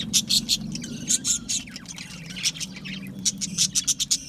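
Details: Budgerigars in an aviary give loud sharp chirps in quick pulsed bursts, with a few softer warbled whistles between and a steady low hum underneath.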